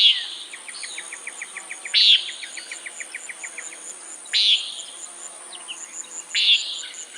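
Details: Common nighthawk calling: loud, harsh, nasal buzzy notes repeated about every two seconds, each followed by a run of faint, rapid, evenly spaced ticks, with a steady high-pitched hiss behind.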